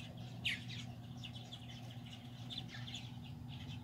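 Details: Purple martin parents at play while feeding babies, July 9, 2020; dense burbling chirps and chatter from several birds, one louder squeak, with a constant low droning hum underneath.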